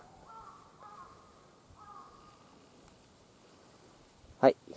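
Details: Crow (finding) heard near roadside stone monuments in Takasaki–Annaka, Gunma, Japan: two faint, distant, drawn-out, level caws about a second and a half apart, followed by a sharp knock close by.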